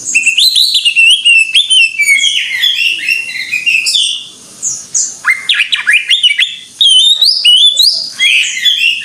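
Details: Greater green leafbird in full gacor song: a dense, nonstop stream of chattering, whistled and buzzy notes. Brief pauses break it, each followed by sharp upward-sweeping phrases.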